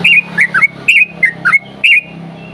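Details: Lively yellow-vented bulbul singing in the 'ropel panjang' style, meant as a lure to set other bulbuls singing: loud gurgling whistled phrases, each a quick up-and-down warble, repeated in tight clusters with a faint hum behind.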